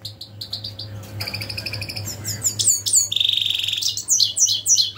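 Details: European goldfinch calling: clipped high chirps, then a dense run of twittering notes and a drawn-out buzzy trill, followed by quick liquid chirps over a constant low background hum.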